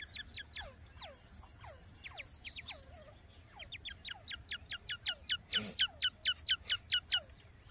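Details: A Grey Francolin chick calls with high, thin peeps: steeply falling notes, then a quick run of sharp, evenly spaced chirps, about two per second.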